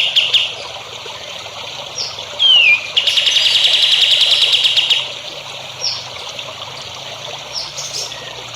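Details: Practice song for young songbirds: scattered high chirps and a descending whistled slur, then a two-second dense high trill of quick repeated notes, followed by a few isolated upward chips.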